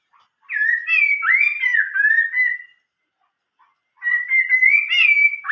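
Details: Old-forest style (giọng rừng già) Chinese hwamei song: one long wavering whistled phrase, about a second of silence, then a rising sustained whistle, loud and clear.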